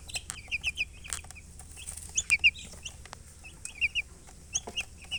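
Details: Several chicks chirping, with bursts of short, high, falling peeps in quick clusters of two to four, separated by brief pauses. There is a low background hum throughout.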